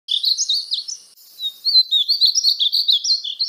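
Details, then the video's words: Painted Bunting (Passerina ciris) song: a fast, sweet warble of high, bright notes tumbling and slurring up and down in a continuous run. "o belo canto do pássaro estamenha pintada (Passerina ciris)"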